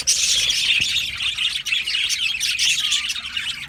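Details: Australian budgerigar colony in an aviary, dense overlapping chirps, warbles and squawks forming a continuous high chatter, steady throughout with no pauses.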